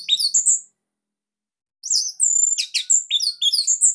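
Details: Orange-headed thrush, Bali type, a captive master bird with a loud, tight voice, delivers very high, thin sliding whistles, a pause, then a dense run of high twittering notes.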